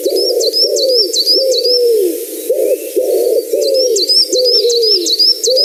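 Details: Common wood pigeon in a garden cooing its five-syllable phrase: deep, soft, hollow notes in a steady rhythmic run, with high, thin chirps from another bird above it.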